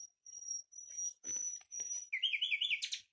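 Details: Common nightingale opens with long, high, pure sustained whistles, moves through buzzy grating notes, then finishes with a quick run of rich, bubbling liquid notes.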